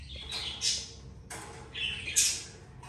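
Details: Budgerigar parents with their two young; two harsh, rasping squawk bursts about a second apart, each climbing into a sharp high screech, over faint indoor background hum.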